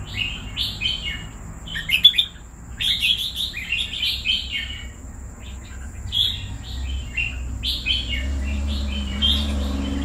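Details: Caged red-whiskered bulbul kept for two years delivers lively bursts of warbled, whistled phrases, some quick and clustered, separated by short pauses; a steady high whine and low rumble run underneath.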